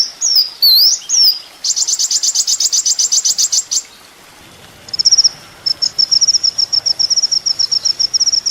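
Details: High-pitched song of a kolibri ninja sunbird, used as training material for songbirds: a few looping whistles, a long fast rattling trill, silence, then a steady run of thin ticking notes.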